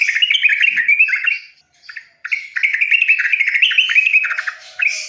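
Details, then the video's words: Yellow-vented bulbul, a tutor recording meant to get silent young birds singing: a lively stream of chattered, warbling phrases, a short pause in the middle, then a long rapid bubbling run. "BURUNG TRUCUKAN bisu langsung bunyi"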